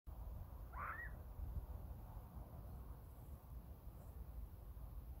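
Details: A male Burrowing Owl chirping at the person recording gives a single short, high chirp near the start, then falls quiet over a steady low rumble.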